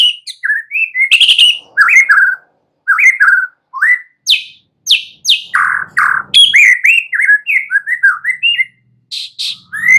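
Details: Young wild forest White-rumped shama singing a long, varied stream of sweet whistles, rising and falling slurs and sharp chips in quick succession, with brief pauses between phrases.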